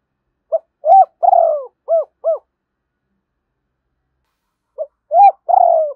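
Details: Spotted dove decoy call for making wild doves coo back: a full phrase of a short note, a hooped coo, a long rough descending coo and two clean arched notes, then silence before the next phrase begins.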